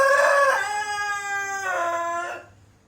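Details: Pelung chicken rooster, a breed whose crow grows longer and more melodious with age, with winding cengkok ornaments; a loud, rich harmonic crow that holds steady, dips lower midway, then swells again before fading out after about two and a half seconds.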